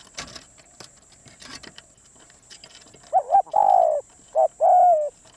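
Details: Spotted dove calling: after faint distant coos, loud mellow coos arrive as a short stuttered note followed by a longer, slightly falling hoot, with a steady high hiss in the background.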